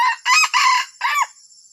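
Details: Junglefowl giving a strange crow: three quick, loud, grating bursts, then a separate arched closing note that fades out. A faint high insect hum lingers.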